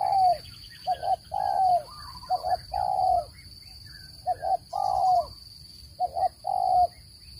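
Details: Spotted dove calling to lure birds into traps. Four back-to-back phrases, each two short coos leading into a longer drawn coo, with weak twittering between them and an unbroken high electronic tone.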